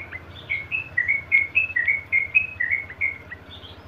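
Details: Sooty-headed bulbul, called trucukan, delivering fast 'ngeropel' song: quick chains of sweet, slurred whistled notes, about three or four per second, over a soft low background hum.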